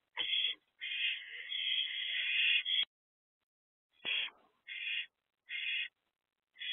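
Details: Barn owl mother perched with her two oldest owlets outside a nest box, youngest in the box, just after 1 am on 7 April 2024. One long rasping screech of nearly three seconds, then four short harsh hisses.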